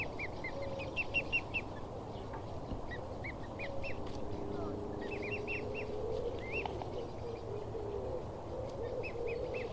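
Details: Swan cygnet at a pond in Blyth on 6 June 2016, chattering in quick runs of high, slurred peeps with short pauses, over a steady low hum.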